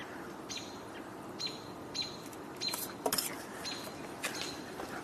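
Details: American robins, unseen in nearby trees on 20 June 2024, give thin, high, slightly falling notes about every second. The calls seem a concerted vocalization, over steady background hiss with a sharp knock midway.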